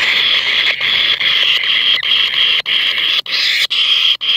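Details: Kingfisher chick being fed by its mother, which brings it large rats one after another; loud harsh buzzy begging notes, each about half a second, repeated rapidly with brief gaps, dominating the recording.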